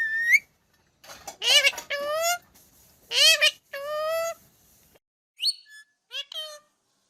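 A ringneck parrot gives nasal, rising, speech-like phrases in short bursts, about six over seven seconds, with brief squeaky notes at the end.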